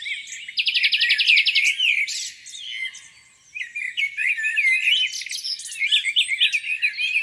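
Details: On a spring morning by a lake, a bird delivers a fast buzzy rattle of evenly repeated notes, followed by chirps and twittering from several others.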